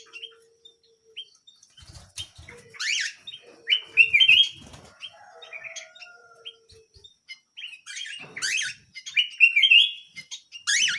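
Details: Canary song of busy chirps and loud warbled bursts, interspersed with clicks, soft fluttering noises and faint low tones.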